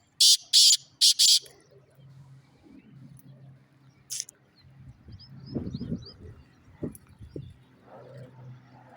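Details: Black francolin calling three short, loud, raspy bursts at the start, followed by low background rumble, faint chirps and some murmuring voices.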